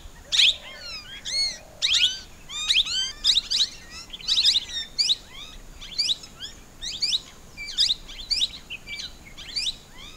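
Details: Plum-headed parakeet giving bright, shrill sweeping notes in quick clusters, then steadier single and double squeaks spaced about half a second apart, with faint background hiss.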